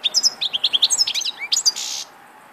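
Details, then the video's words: European goldfinch song: a rapid run of bright, tinkling high twitters and chirps, ending in a harsh buzzy note. "Vukadinov pjev 1, grdelin, chardonneret,goldfinches,el jilguero"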